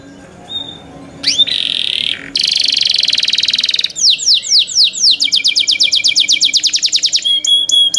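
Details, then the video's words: Song of young canaries: brief whistle, two dense buzzy rolls, then downward-sweeping notes that speed into a fast repeated trill and end on clear thin whistles. "MEDIOUS SONG OF YOUNG CANARIES"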